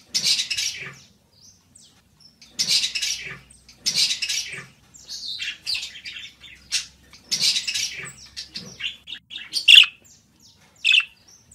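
Budgerigar warbling in bursts of scratchy, buzzy chatter mixed with bright high chirps, phrases lasting about a second with short pauses between.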